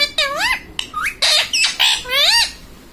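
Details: Ringneck parrot kept as a pet, mimicking mummy papa: a rapid string of harsh, rising-falling nasal syllables and short squawks packed into three seconds, loud and close.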